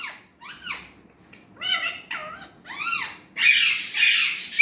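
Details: Pet Indian ringneck parrot talking in Urdu/Hindi indoors: short arched, harmonic syllables rising and falling, in separate bursts over a few seconds, ending in a louder, rougher phrase.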